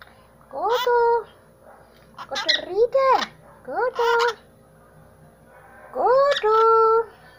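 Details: Amazon parrot talking, with strongly harmonic, rising then level vocal phrases of about half a second each, separated by pauses, quiet indoor background.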